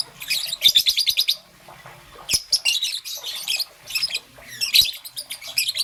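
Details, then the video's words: Young peach-faced lovebird, green and yellow, chattering in the morning: four groups of fast, high, ticking chirps, the first a quick rattling run, separated by short silences. "Relaxation of Lovebird's melodious chirping sound - Young Peach Face Lovebird - Green and Yellow"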